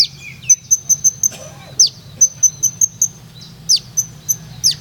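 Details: Kolibri ninja, or olive-backed sunbird, from Purworejo in rolling, high-shooting song style: rapid runs of piercing high ticks mixed with steeply falling whistled slurs, delivered in quick bursts with brief pauses.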